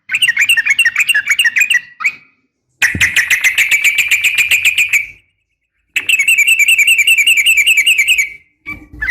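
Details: Female Sooty-headed bulbul calling to a male, a recording meant for training kept bulbuls in the morning and evening; fast, dense chattering bursts of sharp notes in three runs of two to three seconds, separated by short silences.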